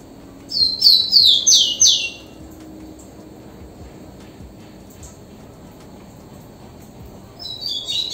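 Rufous-collared sparrow song: a quick run of five or six high, sweet whistles, each slurring downward, then a quiet pause before the next phrase starts.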